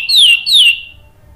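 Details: Orange-headed thrush song, a lure recording meant to prompt a bird to sing in the gacor ngeplong style: two loud, clear whistles that slide downward, the second following half a second after the first, then quiet.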